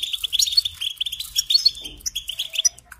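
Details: European goldfinch twittering continuously, rapid sweet chirps and a few sharp higher notes in a busy run.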